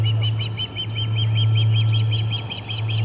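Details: Resident ospreys driving visiting ospreys from the Charlo P2 nest on August 20, 2020, around midday: an unbroken stream of piercing, evenly spaced whistled chirps, several per second, over a continuous low droning hum.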